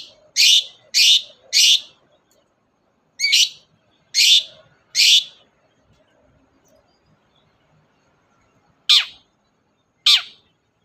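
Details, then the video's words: Long-tailed shrike, used as a lure to make a reluctant shrike sing. Three loud, grating bursts come in quick succession, then three more after a pause, followed by two thinner downward-sweeping rasps after a long quiet stretch. "BURUNG CENDET GACOR DOR, pancingan ampuh cendet gak mau bunyi"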